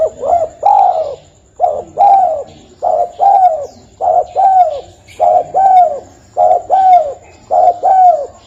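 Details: Spotted dove lure call for trapping birds: soft paired coos, a clipped note then a drawn-out falling one, repeated steadily about every 1.2 seconds in a quiet setting.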